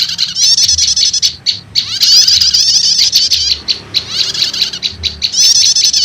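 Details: Prenjak lumut prinia calling blended with prenjak setater, a lure for wild birds: high scratchy chattering runs with short gaps filled by sharp ticking notes, several overlapping voices.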